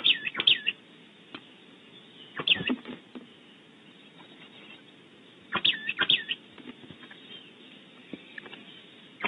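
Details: Oak titmouse outside a nest cavity at Starr Ranch, California, calls in three brief bursts a few seconds apart, each a cluster of thin, high, hooked notes over a harsher, raspy undertone.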